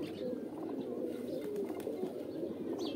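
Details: Pigeons giving their mating call: a dense, steady chorus of low, throaty coos from many birds overlapping throughout, with a few faint high chirps above.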